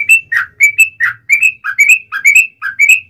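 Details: Lively yellow-vented bulbul song played to stir other bulbuls into singing: paired, bright whistled notes alternating low and high, roughly a dozen in three seconds, with a clean background.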